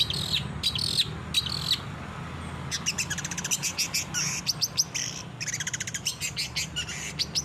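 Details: Long-tailed shrike singing, recorded as training material for caged birds. A few scratchy bursts lead into quick, dry, clicking rattles and chattering notes, with a constant low hum underneath.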